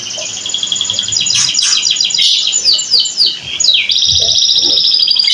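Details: Domestic canary singing a fast, high rolling song of rapid repeated notes, broken by quick downward-sweeping slurs midway, then settling into a steady buzzy trill; faint low background noise.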